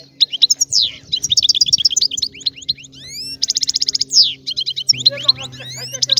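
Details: Lively European goldfinch song: fast tinkling twitters, rising whistled slurs and buzzy trilled bursts pour out almost without pause over a steady low electrical hum.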